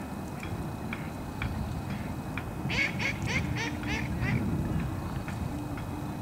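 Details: Gull at Trout Lake, Vancouver, giving a quick burst of harsh, ringing calls with layered overtones, about five in close succession midway, with fainter scattered calls before and after over a steady low rumble of background noise.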